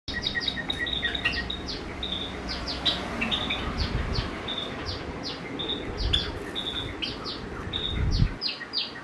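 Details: Java sparrows singing at Mazaki Park on 9 January 2017, several free-living birds alongside one white Java sparrow and three cockatiels: a continuous run of high clicking, tinkling notes and short bell-like tones over a steady low rumble.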